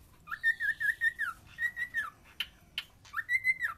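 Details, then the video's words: Singing cockatiel gives long wavering whistles that rise, hold level and fall away, broken by two sharp short chips before a final rising-and-falling whistle. "Cockatial singing."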